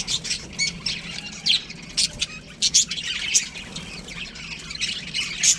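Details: In an aviary, baby budgerigars chirp and squawk in scattered sharp bursts over a softer background of flock chatter.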